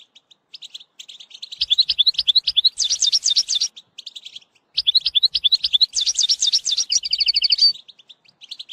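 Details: Two long bursts of European goldfinch song, a tutoring recording for a young bird: liquid chattering notes building into rapid high sweeping phrases, the second ending in a dry buzzy trill.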